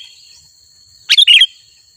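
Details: One brief, bright sooty-headed bulbul phrase of three quick, bubbly chirps in the middle of otherwise quiet air, with a faint steady high-pitched tone underneath.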